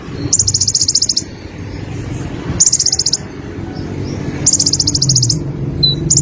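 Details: Konin, the olive-backed sunbird, repeating a very high rapid rattling trill roughly every two seconds, each lasting under a second, with a faint low rumble beneath.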